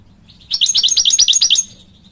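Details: Male European goldfinch calling for the female with a quick, even series of about nine high chirping notes in one second, then quiet.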